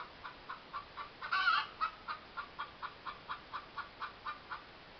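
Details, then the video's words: Loud clucking from a hen in a yard: steady short clucks repeated roughly every quarter second, with one louder, rasping squawk rising out of the sequence early on. "cluttering hen"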